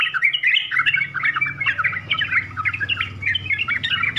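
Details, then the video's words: Sooty-headed bulbul, known as trucukan, giving a busy chattering warble of quick mixed notes, somewhat softer, with a steady low hum in the background. "SUARA TRUCUKAN FULL ISIAN UNTUK PEMULA DIJAMIN LANGSUNG NYAUT, TRUCKAN SOUND FULL CONTENT"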